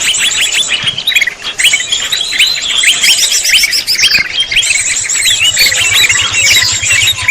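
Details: Greater green leafbird lure recording, described as proven for trapping: rapid high chirps and twittering phrases pour out continuously, briefly thinning near the middle, with a faint low hum underneath toward the end.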